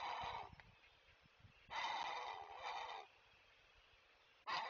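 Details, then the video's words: Warning from a great blue heron parent at a Chesapeake webcam nest telling intruders to stay away: gravelly, broad croaking squawks, one long and one shorter burst, with a third starting at the end against quiet hiss. "Great Blue Heron Parent to Stay Away"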